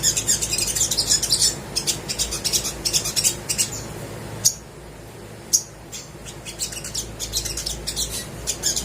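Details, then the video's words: Crimson sunbird in lively song for coaxing silent birds: dense high twittering for several seconds, a short near-silent gap with two lone sharp clicks, then renewed quick chirping. "PANCINGAN SOGOK ONTONG GACOR DOR COCOK UNTUK BURUNG MALAS BUNYI"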